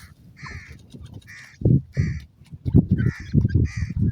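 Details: Iranian partridge and chicks: grating, hoarse calls repeated about every half second in an even series, mixed with heavy low knocking and rustling.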